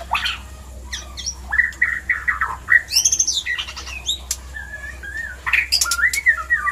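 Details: Breeding-stimulation calls of a white-rumped shama, a busy mix of clear whistled notes, short upslurs, buzzy trills and piercing high chips, delivered almost without pause against a faint low hum.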